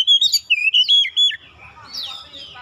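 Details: Brief magpie-robin lure phrase meant to set off other birds singing: about one second of clear, rapid whistles and slurred notes, followed by a softer descending whistle that fades out.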